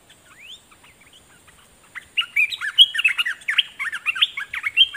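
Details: A decoy Red-whiskered bulbul sings at wild birds: one upswept note, a quiet pause, then a rapid, lively run of chirpy, slurred whistles and warbled phrases that continues to the end.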